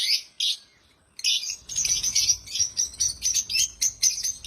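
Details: African lovebirds, described as happy, chirping loudly: a few separate high chirps, a brief pause, then steady rhythmic shrill chirps several per second.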